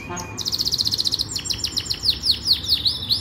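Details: Yorkshire canary training song: a brief voice at the start, then a fast, even trill of high notes that shifts into slower, swooping downslurred whistles, over steady low background noise.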